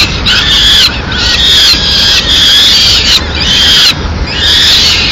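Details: In Madrid, peregrine falcon nestlings scream for food as the female delivers a small bird at mid-morning: repeated drawn-out shrill wails, each about a second long, separated by short gaps.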